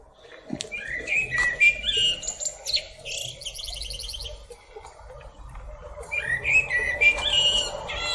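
A common blackbird sings mellow, fluty whistled phrases, each ending in a squeaky, high twitter, with a pause between phrases. A faint steady hum runs underneath.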